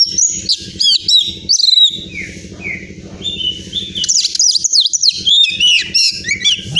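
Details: Champion Oriental magpie-robin from Pemalang, Central Java, Indonesia, singing varied high whistled phrases with sweeping, slurred notes and bursts of chatter, over a low pulsing buzz.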